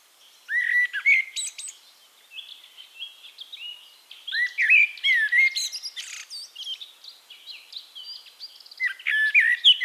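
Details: In Castricum, the Netherlands, a Eurasian blackbird repeats its song: deep melodious whistles followed by sharp high twitters, phrases arriving every few seconds with soft twittering of other birds between them.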